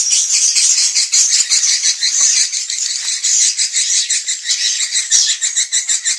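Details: Swiftlets in a lure recording for dusk roosting: loud, dense chirping chatter in uneven pulses, buzzy and high, with sharp whistled notes scattered through.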